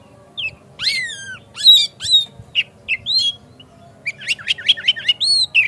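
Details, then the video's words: Oriental magpie-robin singing energetically in a lure recording that provokes other birds to sing and open their tails: descending whistled slurs, buzzy notes and a fast run of sharp repeated chips. "Pancingan Kacer Agar Cepat Gacor Ngotot Buka Ekor"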